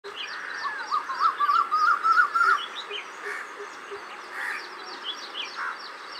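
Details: A Wire-tailed swallow at Bhandup pumping station on 19 March 2021, collecting mud beside a canal for its nest, gives a quick run of short chirping twitters, about three a second, with faint high chirps from other birds and steady hiss.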